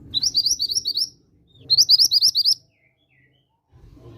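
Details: Two bright bursts of seven or eight fast, rising chirps from a mantenan gunung, each lasting about a second, separated by a short pause; a lure sound meant to make other mantenan birds sing, with faint low background noise.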